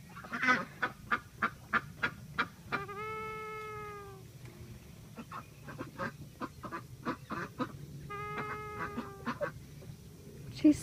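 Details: Embden gosling, female, making little honking snores as she drifts in and out of sleep: a run of short nasal honks, then a drawn-out harmonic honk of over a second, more short honks, and another long one.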